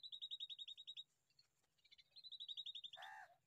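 A young bulbul gives fast runs of thin, high chirps, about ten a second, in two bursts, ending with a short harsh, lower squawk.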